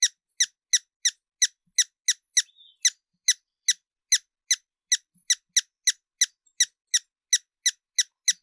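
Hummingbird giving sharp, high squeaky chips, about three per second in a steady run, with no other sounds.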